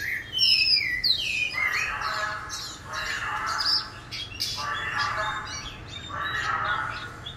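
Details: Oriental magpie-robin; subsong; young bird practicing its song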